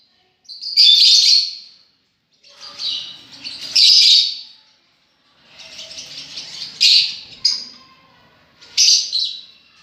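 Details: Lovebirds chatter in long scratchy high-pitched bursts, interrupted by sharp squeaks and a few quiet low background noises.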